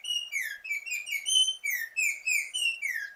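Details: A Texas Altamira Oriole gives a steady run of clear, slurred whistled notes, each dipping slightly, about one and a half per second, with no other sounds.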